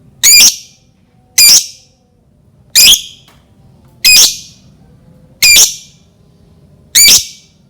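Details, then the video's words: Lovebird lure sound for triggering other lovebirds to sing: six piercing, harsh screeches repeated evenly about every 1.3 seconds, each short and ringing; no other sounds. "Pancingan Lovebird dijamin Lovebird lain langsung bunyi"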